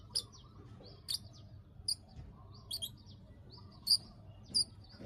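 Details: Bar-winged prinia (ciblek) 'klik klik' call used as a lure to bring birds into breeding condition: single sharp, high clicks spaced about a second apart, some paired, over faint low rumble.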